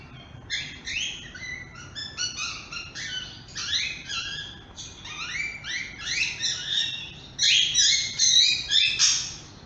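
Grey-headed parrot chirping: fast, high, squeaky chirps running together in a busy chatter, getting louder toward the end.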